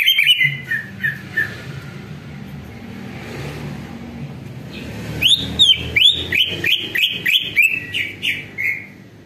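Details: Greater green leafbird song used as a lure to prompt other leafbirds to respond: a few soft slurred whistles, a quiet pause, then a loud run of ringing, rapidly repeated whistled notes with sharp clicks, over low background hum.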